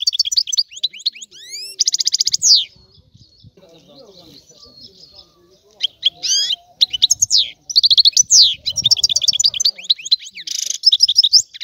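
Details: European goldfinch of Sicily giving rare old-style song meant to stimulate other goldfinches: bright twittering and buzzy trills at the start, a quieter gap with faint low background sounds mid-way, then dense tinkling phrases resuming to the end.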